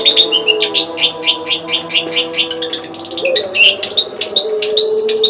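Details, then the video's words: Long-tailed shrike, locally called cendet, a household bird: rapid run of chattering, scratchy high notes with brief whistled slurs, dense and continuous, over a steady low hum. "Burung cendet suamiku"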